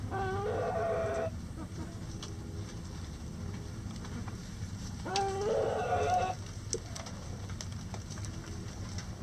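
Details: Backyard rooster in a chicken coop during light rain, crowing twice about five seconds apart. Each crow is a rough, loud burst of roughly one second, with steady rainfall and low background rumble between them.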